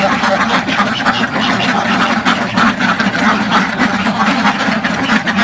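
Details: Crowd of farm ducks quacking inside a village pen, recorded up close without a filter; rapid, irregular overlapping quacks, several per second, blend into a harsh continuous chorus.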